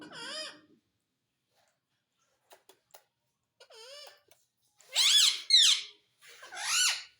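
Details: Pet parrot in a small room talking, saying mummy and papa; scattered squeaky harmonic syllables with bending pitch, a few clicks, then three louder wavering words near the end.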